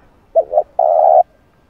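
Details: Spotted dove calling coo meant to excite a decoy bird. Two quick wavering coo notes are followed by one long, even, purring coo, with no other sounds.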